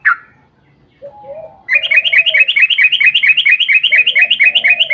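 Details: Sooty-headed bulbul, sung as a lure to make other bulbuls sing: a single note and soft low warbling, then a fast, steady series of bright chirping notes, many per second, over a quiet background.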